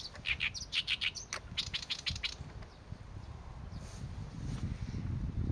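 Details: Oriental reed warbler song: a rapid run of rasping, chattering notes for about two seconds, then near silence with a low rumble rising at the end.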